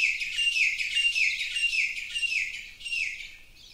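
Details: Tropical forest birds on the Big Island of Hawaii sing a loud, continuous, high-pitched twittering chorus of rapid chirps and warbles, with brief downward-sliding notes recurring roughly every half second and fading slightly near the close.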